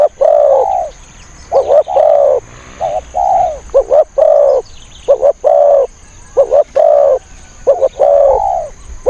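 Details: Spotted dove used as a trapping decoy for wild birds, cooing steadily through the recording: clipped double notes leading into longer rolling coos, phrases repeated about every second and a half, with a faint constant high whine.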